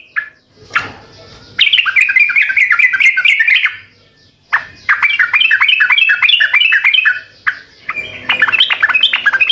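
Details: Sooty-headed bulbul in energetic gacor song, meant to draw answers from other birds: three bursts of bubbly, chattering notes that rise and fall quickly, broken by short pauses and a few sharp clicks.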